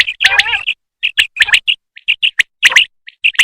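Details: Female common quail calling, linked to quail hunting: a burst of rough, tonal chirps, then short clear high notes in quick uneven clusters, with sharp clicks between them.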